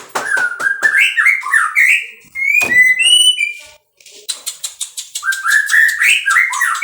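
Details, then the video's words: Captive-bred white-rumped shama alternating rapid rhythmic clicks with stepped whistled phrases and high thin notes, pausing briefly midway before another run of clicks and rising whistles. "muray batu suara mantap"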